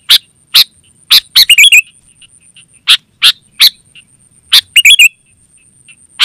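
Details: Call of a sooty-headed bulbul, used to attract wild birds and to train caged ones: spaced, crisp single chips with two short gurgling, warbled bursts between them, over a constant faint high-pitched hum.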